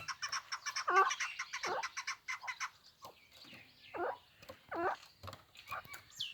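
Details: Hybrid chukar partridge, a bird bred for fighting, giving loud harsh chuk calls as downward-arched notes near 1 and 4.8 seconds, mixed with many short clicking and chirping notes from other birds.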